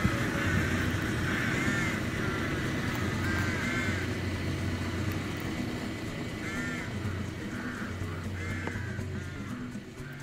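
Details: Rooks in a city nesting colony in Serbia in early spring, building their nests, give hoarse, drawn-out caws in irregular bursts every second or two, with several birds calling over a steady low rumble of traffic or background music.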